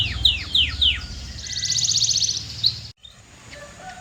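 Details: A canary gives three sharp, falling whistled notes followed by a soft, fast buzzy trill. The song cuts off abruptly and only a faint, quiet background remains, with a low hum throughout.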